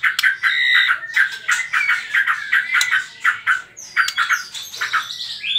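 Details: Trotol lure song of a white-rumped shama, meant to spur other birds to sing: fast, scratchy chattering phrases with squawky notes and quick whistled slurs, delivered in quick repeated bursts.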